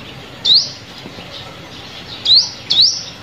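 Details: Sunbird calling as bait for glue-stick trapping: three piercing, rising chirps, one after a pause of nearly two seconds, then two close together, over a soft, steady background hiss.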